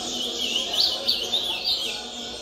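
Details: Ultramarine grosbeak singing during a bird singing competition; a rapid warbled phrase of high looping notes, several quick rising and falling slurs in a row, with faint voices behind.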